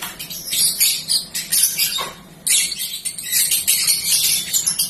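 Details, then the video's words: Yellow-fronted canary at an OSCAB Jakarta bird contest ring gives a fast, high, twittering song, a rambling run of trills and chips with a short pause midway, set against a murmur of other voices. "Balibu Bahan Konslet Lagi Nglantur Ngalor-Ngidul"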